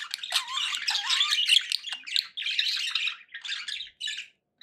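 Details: Pet budgerigars chattering: a dense, continuous scratchy warble with squeaky notes and a few rising whistles, running almost without pause before breaking into shorter bursts near the end.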